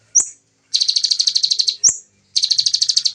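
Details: Bar-winged prinia in fast, tight 'nembak' shooting song, original sound. A sharp upslurred chip is followed by an even, rapid trill of about fifteen high buzzy notes, and then the sequence repeats once, with no other noise.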